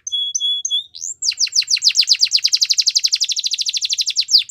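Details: Singing canary used to train young canaries: a few thin steady whistles, then a long rapid series of repeated downward-sweeping notes rolling on without a break.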